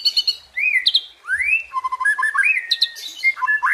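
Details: White-rumped shama singing tembakan and isian: a rapid opening trill, rising whistled sweeps and stepped notes, varied phrases tumbling together at a lively pace.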